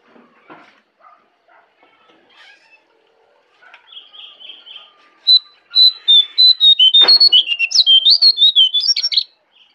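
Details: Wild jongkangan in forest at Kintamani, Bali: a few faint chips and soft notes, then an energetic burst of loud, rapid whistled notes that rise and fall, densely repeated for several seconds before stopping.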